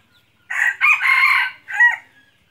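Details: Clean, close crow from a red junglefowl used as a hunting decoy: a short opening note, a long harsh middle section, then a brief clipped ending, with near silence around it.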